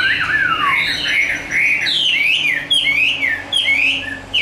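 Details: Fully tame, hand-raised Chinese hwamei in fighting song, pouring out varied whistled slurs that rise and fall, some swooping low, in a continuous rich stream with brief breaks.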